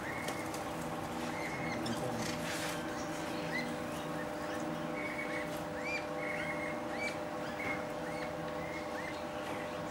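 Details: Greater necklaced laughingthrush (Pterorhinus pectoralis) at a forest edge by Kaeng Krachan National Park, Phetchaburi, Thailand, on 23 September 2012, giving short, clear upslurred whistles in irregular bursts, over a steady droning hum and rustling background.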